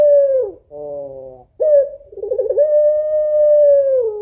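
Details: African collared dove of the puter pelung type, a female calling for a male: a falling coo, a soft rolling purr, then a wavering note that settles into a long, even, slowly drooping coo.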